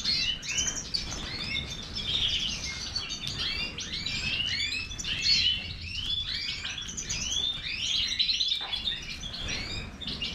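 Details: Major goldfinch delivering a rapid, tumbling song of high twitters, short upward-sweeping whistles and buzzy trills, running on without a break over a faint low rumble.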